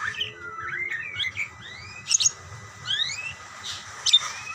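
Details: Budgerigars calling back and forth with sparser sounds: thin rising whistled slurs and a few sharp clicky chirps with gaps between, over a noticeable low hum.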